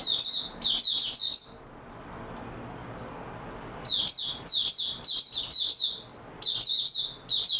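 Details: Mata puteh, the Oriental white-eye, singing in stable form on 28 February 2022. A quick cluster of shrill chirps fades into a silent gap of about two seconds, followed by evenly spaced bursts of high, tumbling twitters.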